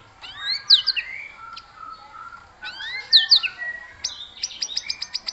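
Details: Aggressive white-rumped shama song meant to spur other birds to sing: two bright upward-swept whistled phrases with lower trailing notes, then a rapid run of sharp ticking notes.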